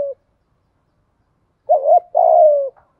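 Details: Decoy spotted dove cooing to lure wild birds, calling in the 'gáy gọi một hậu' (one-ending call) style: a brief tail of a coo, a pause, then one phrase of a short wavering double note followed by a longer, smoothly falling coo.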